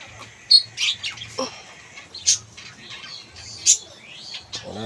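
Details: Captive budgerigar colony of breeding pairs with eggs laid: scattered sharp high chirps and brief squeaky twitters, separated by quiet gaps, with no other sounds.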